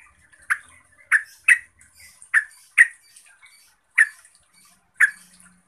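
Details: Yellow-vented bulbul (Pycnonotus goiavier) giving about eight sharp, bright chirps at an uneven pace, roughly one every half second to a second, with faint soft notes between; a song meant to provoke other bulbuls into calling.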